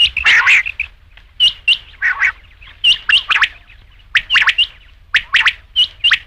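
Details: Rain quail delivering a string of sharp clear pips and gritty double notes in quick succession, fairly loud throughout.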